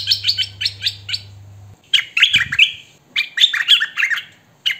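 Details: Hwamei song: a quick run of repeated sharp chirps, a brief pause, then rich rolling whistled notes in uneven clusters, with a soft low hum at the start.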